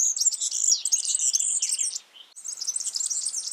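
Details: A wild yellow-fronted canary (Mozambique singing finch) pours out a fast, high, twittering warble of rapid trills and sweet notes, pausing briefly before starting again.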